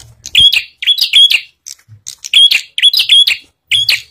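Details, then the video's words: Bar-winged prinia song used as a lure to get other prinias to sing: sharp, high chirping notes in quick bursts of two to four, with short pauses between bursts and faint low thumps beneath. "Burung Prenjak Apapun Pasti Bunyi Setelah Mendengar Suara Burung Prenjak Gacor Ini"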